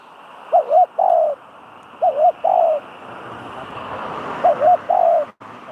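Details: A spotted dove cooing as a decoy for trapping. Three phrases, each a quick double coo followed by a longer smooth coo, are set against steady outdoor background noise and a brief knock near the end.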